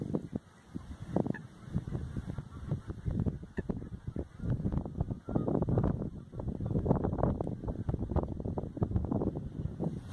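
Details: Lesser white-fronted geese in a flock at Oudeland van Strijen, Hoeksche Waard, Netherlands, on 9 February 2022, where many gather each year; dense, overlapping honks and yelps run nearly nonstop, with a restless low chatter underneath.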